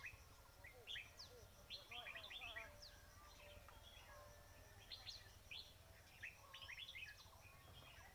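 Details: Several bulbul-type chirps from a red-whiskered bulbul trapping scene: repeated bursts of quick sweeping notes, chattering clusters every second or two, a faint murmur and low rumble behind.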